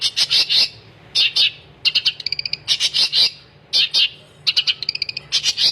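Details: Long-tailed shrike pouring out gacor song, repeating a pattern of three harsh high bursts followed by a rapid stuttering trill, cycling roughly every two seconds.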